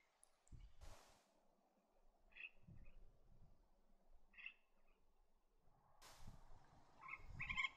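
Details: Superb parrot (Polytelis swainsonii) gives brief, harsh chattering calls in three spaced bursts, with a dense cluster near the end, broken by two loud rushes of noise and low thumps.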